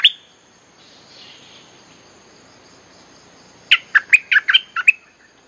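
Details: Olive-winged Bulbul lure song for calling wild birds: after a soft hazy stretch, a lively burst of about eight bubbly, slurred whistled notes tumbles out rapidly.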